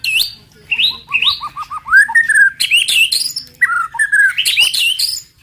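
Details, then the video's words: White-rumped shama giving a song meant to provoke other shamas into singing: rich, varied whistled phrases with a series of rising repeated notes, looping slurred whistles and sharp high flourishes. "TEMBAKAN MURAI BATU PEMANCING EMOSI AMPUH BIKIN AMPUH BIKIN MURAI CEPAT BUNYI"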